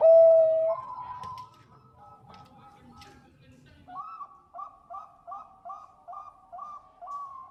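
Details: Lure recording of a female zebra dove calling the male. One strong coo opens, then quiet murmuring, then a regular series of soft, paired, warbling coos repeated about twice a second.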